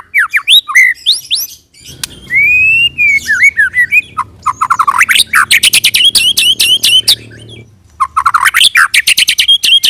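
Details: White-rumped shama lure song meant to make other shamas sing, rolling style: varied whistles, a long drawn-out whistle, then rapid dense rattling trills of sharp notes, a short pause, and more quick rising whistles.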